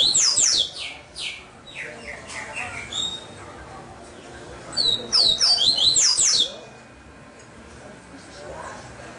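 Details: Double-collared seedeater kept by a breeder in Salvador, Bahia, Brazil, giving two loud bursts of rapid, ringing high notes with steep slurred sweeps, separated by a few seconds of softer chips and quiet room noise.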